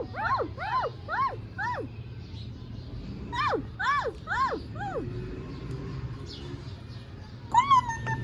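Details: Ring-necked parakeet speaking clearly, saying words like "Mian Mithu Chori Khani hai": a run of short arched harmonic syllables in quick succession, a pause, another burst of syllables, then a final brief note, over a low steady hum.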